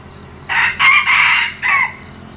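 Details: New decoy red junglefowl, a bird kept for luring wild junglefowl, crowing in four harsh parts: a short opening burst, a longer main phrase split by a brief break, then a short closing note after a pause. The background is quiet.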